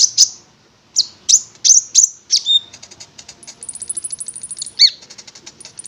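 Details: Konin, a prinia, sings sharp high notes spaced about half a second apart, then a long fast trill of thin ticking notes with a high whistle and a downslurred note.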